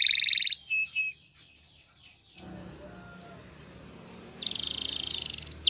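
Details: Russian singer canary training song: a rapid high buzzy trill opens, then brief chirps, a quiet pause with low background rumble, scattered thin upslurred notes, and a loud fast rolling trill near the end.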